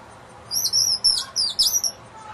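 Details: Hungry young woodpecker being fed on a front patio, a bird that returns every night to roost in one of two bird houses; a burst of about six high, squeaky, chattering calls in quick succession, then quiet.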